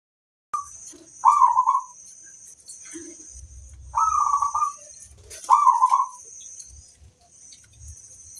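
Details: Local zebra dove singing as a lure bird to draw responses from other doves. Soft, mellow warbled coos in short phrases, each under a second, repeated every two to three seconds, with a steady high electrical whine and low thumps behind.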